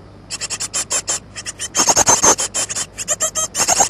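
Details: Roughly two-week-old great tit nestlings begging for food on 14 May 2011: a dense, nearly continuous run of shrill, rasping squeaks, rapid and overlapping, louder through the middle, with a steady low hum beneath.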